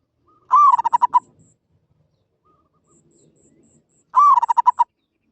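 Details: Zebra dove uttering two katok banir phrases about three and a half seconds apart, each a bent opening coo followed by six or seven short bouncing notes, against near silence and a faint high whine.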